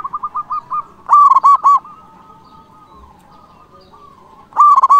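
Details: Zebra dove, a local bird singing actively and said to stir rivals into answering: quick stuttering coos lead into a loud rolling burst of four ringing notes, then a long low hum before another loud burst begins.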